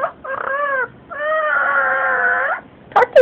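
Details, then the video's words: Female pet yellow-naped amazon chatting with its owner: a short harmonic vocal phrase, a pause, then a long drawn-out voiced sound, and a brief burst at the end. "Yellow Naped Amazon Chit Chat"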